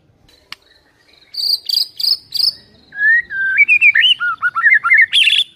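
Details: Murai, the white-rumped shama, in complete isian fill-in song: a faint click, then several high harsh bursts, followed by a rising chain of quick slurred whistles ending in a sharp high note.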